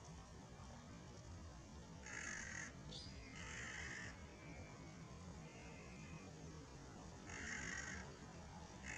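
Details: A Collared Crow (Corvus torquatus) at Long Valley, Sheung Shui, Hong Kong, on 11/6/19 gives a few harsh, hoarse caws spaced a second or two apart, over a steady low rumble of background noise.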